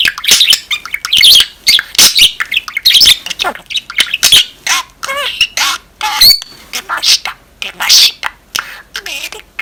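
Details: Budgerigar kept as a pet chattering, mixing scratchy warbles and sharp squawks with speech-like mimicked phrases, including a few drawn-out whistled rising notes between busy bursts.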